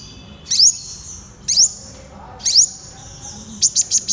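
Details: Purple sunbird giving three high upward-sweeping whistles with thin drawn-out tails, spaced about a second apart, then a quick series of four short high ticks.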